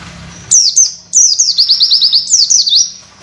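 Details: High-pitched Oriental white-eye tutor song for training birds, opening with two sharp whistles, then a fast string of descending chips and closing sweeping notes.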